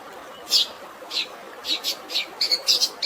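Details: Long-tailed shrike fighting song with sparrow-imitation filling, set to natural water sounds: sharp high chirps, single and in quick pairs, spaced irregularly over a steady soft hiss.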